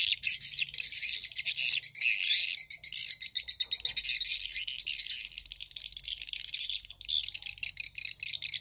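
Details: Edible-nest swiftlet lure sound for swiftlet farmers, a stereo mix of the 'Bulan Madu' and 'Black Phoenix' calls played back through a phone: dense, fast, high twittering chirps in continuous bursts, with brief dips in loudness.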